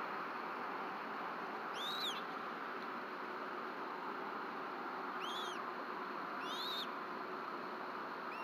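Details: Bald eagle parents feeding a chick with fish at a nest in Rome, Georgia, on a March 2024 evening around 7:21 pm. Three brief, high, arched chirps stand out, spaced a few seconds apart against a constant broadband hiss.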